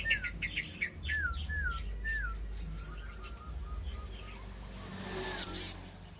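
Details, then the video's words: Black-naped monarch with a quick string of downslurred whistles that fades into a steady train of short, softer repeated notes, a single loud knock near the end, and a low hum throughout. "Selendang biru/kehicap ngombyok kemarin sudah bunyi"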